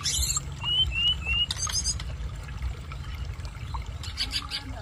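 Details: Sunda robin learning to sing, over water sounds: three thin, high whistled notes slurring upward in quick succession and a few sharp scratchy bursts, over a steady low rush of trickling water.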